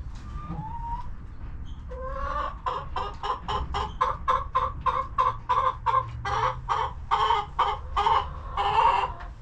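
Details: Hens in their coop on a homestead farm, relaxing and eating, give a run of short harsh clucks. The clucks come about once a second, speed up into a steady series after two seconds, and sit over a low background hum.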